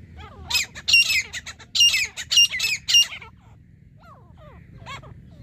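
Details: Grey francolin call from a hunting trip: high harsh squawk bursts with whistled tones, in a brief rhythmic series, then quieter faint slurred notes over low background hum.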